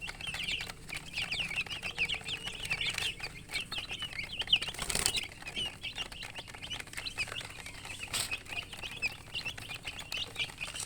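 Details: Chorus of baby chickens peeping nonstop, shrill short chirps layered over one another, interrupted by a couple of brief broadband rustles or knocks.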